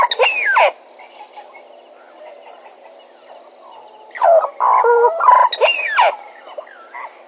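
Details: At Djuma, a Bennett's woodpecker opens with a quick descending squeal, falls silent for several seconds, then breaks into a raucous run of nasal, buzzy notes and closing slurred squeals. Soft insect hum continues throughout.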